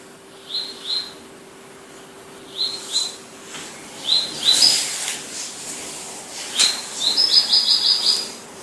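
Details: Palestine sunbird giving short high notes in pairs, spaced by quiet gaps, then a quick run of about six bright, evenly spaced chirps near the end, over faint background hiss.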